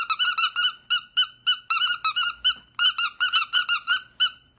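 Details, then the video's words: Pet bird squeaking while with a watermelon indoors, giving a rapid run of short, bright, nasal squeaks, around twenty in under five seconds, grouped in quick bursts with brief pauses, in a quiet small room. "beeper does a ( ( s q u e a k ) ) with the watermelon"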